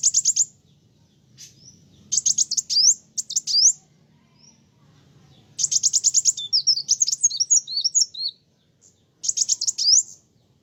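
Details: Sunbird singing to agitate other birds: short bursts of rapid high trilled notes and slurred chirps separated by pauses, with one longer tumbling twitter of sliding whistles in the middle, over a soft hum.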